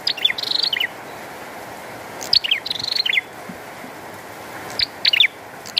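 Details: Persistent song of a bar-winged prinia with rain falling: quick high chips sliding downward, then a rapid dry trill, repeated twice, with a few scattered notes after, all over a constant wash of rain.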